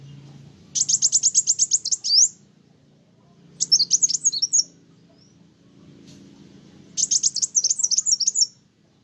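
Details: Sunbird (kolibri wulung) in full song, said to rile up other birds: three bursts of rapid, very high buzzy trilled notes, each lasting over a second, separated by pauses of about two seconds, with a low background hum.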